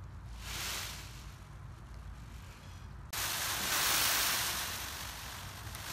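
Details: A captive male Indo-Chinese green peacock rattles his tail against his long train feathers: a soft hiss gives way to a sudden, louder, steady shimmering rattle, like dry rustling feathers.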